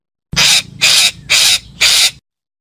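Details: Calling parakeet: four strong, raspy squawks, evenly paced about half a second apart, with clean silence around them.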